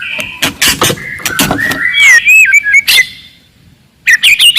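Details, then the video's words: White-rumped shama of forest stock singing loudly and aggressively to provoke opponents: harsh clicking bursts and held whistles, then a bright warbled phrase, a pause, and a quick run of rising whistled notes. "KICAUAN MURAI BATU HUTAN, VOLUME KERAS, AMPUH MENAIKAN EMOSI LAWAN"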